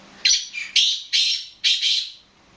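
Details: Black francolin calling, a male kept as a prized bird: four loud harsh bursts, each a sharp rasping note followed by a grating trailing phrase, packed into under two seconds with faint background hum.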